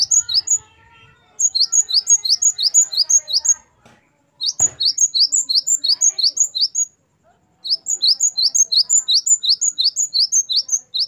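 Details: Great tit (gelatik batu) giving gacor wucit variasi song, a tutor recording for captive birds: three bursts of quick, high, ringing two-note phrases, each burst of about ten repeats separated by short silences, with one sharp click between bursts.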